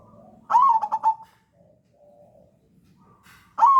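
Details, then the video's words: Crossbred zebra dove, played as a lure so that untrained doves from a flock will start to sing. One mellow, low phrase opens with a slurred coo and then a few quick pulsed notes. A second phrase begins after a pause. "PANCINGAN PERKUTUT CROSSING YANG PALING AMPUH UNTUK MEMANCING PERKUTUT BAHAN BUNYI"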